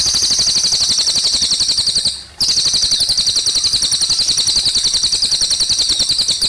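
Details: Cililin song with running water: a sustained, shrill trill of quick repeated high notes, briefly broken by a short pause midway, then resuming at the same fast pace.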